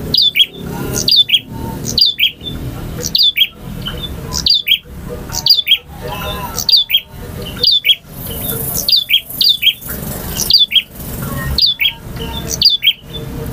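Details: Long varied singing from a male bar-winged prinia, prenjak jantan: a steady run of high, sharp chirped notes, roughly two each second, separated by short harsh noisy bursts.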